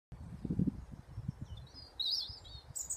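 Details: Birds in Sevenacres Country Park, Bolton, Lancashire countryside: low rumbling thuds and handling noise first, then a short burst of high, thin twittering chirps in the final second.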